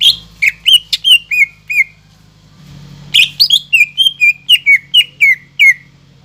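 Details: Greater green leafbird in full song, used to provoke a reluctant caged bird: two bursts of sharp, bright whistled notes, the second a longer rapid series of slurred downward whistles, over a low steady hum.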